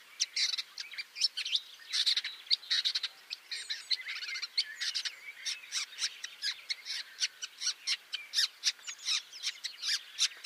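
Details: A shrike in almond trees, near a grasshopper it impaled on a twig as a larder, gives harsh, rasping, high chattering notes in quick bursts, about two or three a second, with no other sounds.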